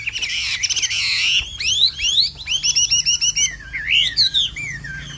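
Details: Hwamei song, the bird known as Hoạ Mi Bộ Tam Hoàng: a buzzy warbled opening, then a quick series of rising and falling whistled notes and loud swooping phrases toward the end.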